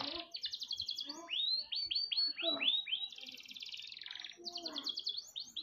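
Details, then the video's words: Canary in full song as training material for other birds: trilled notes, a series of rising swept whistles about five a second, then a long buzzy rattle and renewed trills. "MASTERAN KENARI GACOR PALING DICARI"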